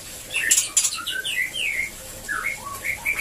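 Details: White-rumped shama in a breeding cage, song meant to encourage mating: sharp high chips followed by clear whistled notes, several sliding down then holding steady, over a low background hum.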